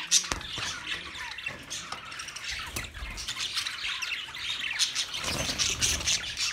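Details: Many budgerigars in a big cage on 9 March 2024: steady high twittering chatter with scattered squawks and faint clicks, the flock calling over one another without pause.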